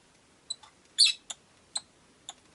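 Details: A loud, squeaky chirp from caged rosy-faced lovebirds is followed by four shorter sharp chirps spaced about half a second apart; five birds live in the window-side cage.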